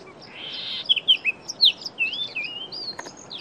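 Chestnut-vented tit-babbler: a brief harsh buzz, then quick high chirps that run into a rolling, liquid warble. The background is quiet.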